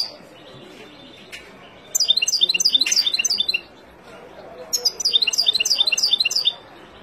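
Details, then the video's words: Wild European goldfinch song used to train young birds, given as two bursts of rapid, high, chattering twitters, each lasting about one and a half seconds, separated by a short quiet gap. "اروع تغريد طائر الحسون البري لتعليم فراخ"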